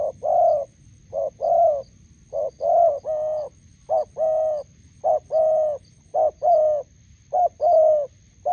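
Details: By a roadside in Gia Lai, Vietnam, a spotted dove decoy meets a wild bird; steady run of low cooing, each short note followed by a longer mellow coo, repeated about once a second across the whole stretch.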